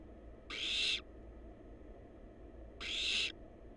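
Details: Two rasping, hoarse hisses from wild barn owl chicks in a research nest box filmed live, each about half a second, with a gap of over two seconds and a soft background hum.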